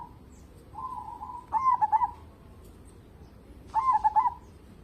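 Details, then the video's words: Zebra dove of a local strain in full song, used to prompt other birds to sing: a long even coo runs into a rapid stuttering burst of soft rolling notes, and a second stuttered phrase follows about two seconds later. "burung perkutut lokal gacor cocok buat pancingan"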